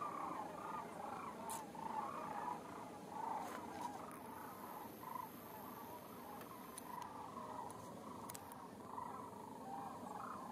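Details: Sandhill cranes calling together: overlapping rolling, trumpeting calls in a steady mid-pitched chorus with no clear pauses, a few faint clicks above.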